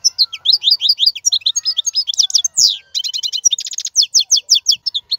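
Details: European goldfinch singing loudly, meant for teaching caged young goldfinches: a dense, unbroken stream of bright twittering notes and slurs with quick repeated chirp runs, steady and rhythmic throughout.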